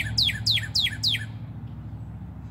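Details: Male northern cardinal perched in a redbud tree singing loudly to attract a mate: four clear, steeply down-slurred whistles in quick succession, about three per second, over a faint low hum.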